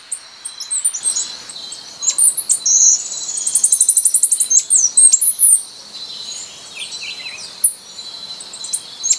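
Costa Rican Brushfinch singing very high, thin notes, including a fast run of about a dozen sharp chips, with scattered high tinkling calls around it.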